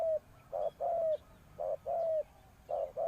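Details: Spotted dove kept as a ground decoy to lure wild doves, cooing in low, mellow paired notes, a short coo followed by a longer, slightly falling one, the pairs repeating about once a second over a quiet background.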